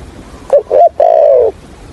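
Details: Single coo phrase from a decoy spotted dove of the Hạp bổi voice style, kept for trapping. Two short clipped notes lead into one sustained, gently falling low coo lasting about half a second.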